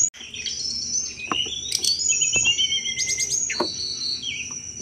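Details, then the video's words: Sunda robin chattering song used as a thrush lure: rapid high whistles, buzzy rattles and descending slurs, interspersed with sharp clicking sounds. "tledekan gunung gacor cetrekan cocok buat mancing segala jenis anis"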